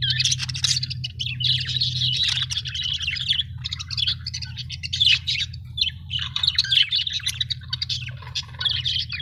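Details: Several happy budgerigars chirping continuously, a dense chatter of short squawky, warbling notes with brief trills, the calls overlapping with little pause; a steady low hum runs underneath throughout.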